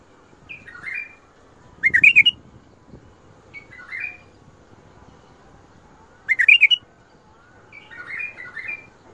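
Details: Bulbul repeating Mandali and Badra style phrases: loud, fast runs of bubbling whistles alternate with quieter warbled snippets every couple of seconds, over a faint background hiss.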